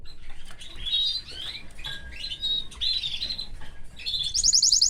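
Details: Caged canary with his family giving a string of short, twittering phrases separated by brief pauses, closing with a burst of very high, quick notes.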